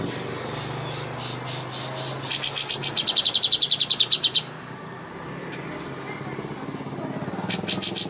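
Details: Greater green leafbird song for contest training, high chirps followed by a fast, even trill of bright notes lasting about two seconds, a quieter pause with low hum, then more chirps.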